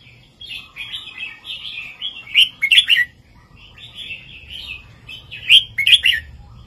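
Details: Red-whiskered bulbul master song, southern 3-4-5 style, from a caged bird used to stimulate others: flowing whistled warbles punctuated twice by loud, sharp, bubbling chirp bursts, over a faint steady low hum.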